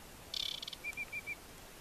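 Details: Song phrase of an aquatic warbler at Chełmskie Torfowiska Węglanowe, July 2015: a fast buzzy chatter, then four evenly spaced, steady whistled notes, with near-silent surroundings.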